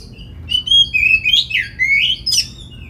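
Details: Oriental magpie-robin song meant to provoke other magpie-robins into full song and tail-fanning; sweet drawn-out whistles that slide up and down, linked by a rising warble and a sharp high note near the end.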